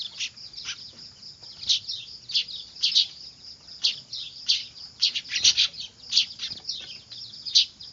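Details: Noisy manyar (weaver) chicks used as a lure: busy overlapping high chirps and harsh buzzy notes, with frequent loud bursts through the whole stretch.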